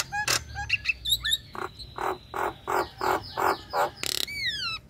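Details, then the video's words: Female Nias hill myna in breeding condition calling the male: a few whistles and clicks, then a steady run of seven nasal, croaking notes about two per second, ending in a harsh burst and falling whistle. "Tembakan Jalak Nias Ngekek"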